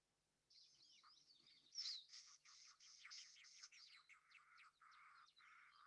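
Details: Yucatan wren (Campylorhynchus yucatanicus), endemic of Mexico's Yucatan Peninsula, recorded in winter: fussy, scratchy chattering notes in rapid bursts, harsh and buzzy, running continuously for several seconds; a typical fussy wren call.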